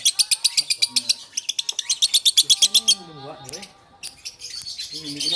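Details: Lovebird from Takengon, Aceh, singing a fast train of high, sharp chirps about four per second for three seconds, then broken twittering, while a man speaks over it.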